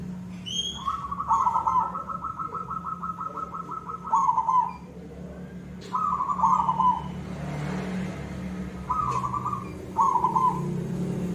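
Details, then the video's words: Silver perkutut zebra dove singing actively in the koong style: a long, rapidly pulsed, bubbling coo phrase, then shorter rolling phrases with pauses, over a steady low hum, with a few brief higher chirps at the start. "perkutut silver gacor suara koong"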